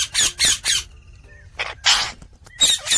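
A rose-ringed parakeet gives harsh, raspy screeching chirps in uneven bursts, about seven in three seconds, with a few faint thin whistles between them.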